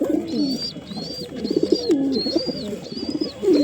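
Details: Low gurgling pigeon coos tumble over one another, while a high arched whistle recurs about every half second in the background.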